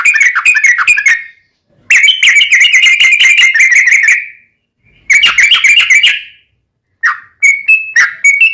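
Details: Caged-bird master song of a yellow-vented bulbul: loud rapid bursts of chattering, bubbling notes, each lasting one to two seconds and separated by short silences, ending in a few clipped whistled notes.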